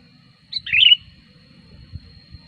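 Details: Sooty-headed bulbul song used for luring wild bulbuls: a short chirpy, gurgling phrase of a few slurred notes, followed by quiet low knocks and background rumble.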